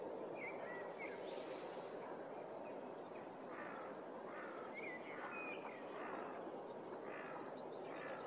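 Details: A large flock of snow geese at Starene bird station in 2023 fills the air with a steady din of overlapping nasal yelps and honks, with short higher notes rising above the roar.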